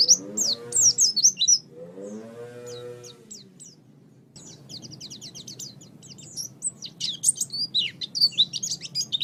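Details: Oriental white-eye song for training pet birds: bursts of high, thin twittering, with lower layered tones sounding during the first few seconds, then a long stretch of rapid chirping.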